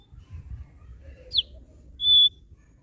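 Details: Kept thick-billed heleia: one quick, steeply falling high whistle, then after a short gap a sustained, pure, level whistle, over a faint low rumble.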